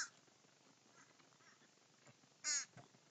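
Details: Crows gathered to feed. One loud, harsh caw stands out near the end, after fainter, distant caws over quiet background noise.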